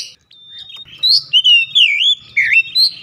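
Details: Oriental magpie-robin lure song, meant to get other magpie-robins singing; a fast run of loud, looping whistles and wavering slurs, broken by short gaps, with faint low clatter underneath.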